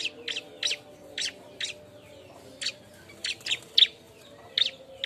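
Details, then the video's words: Noisy bar-winged prinia calls given while seeking a mate: high clipped chips in short clusters separated by brief gaps, some notes louder and harsher than others. "suara burung ciblek ribut nyari kawan"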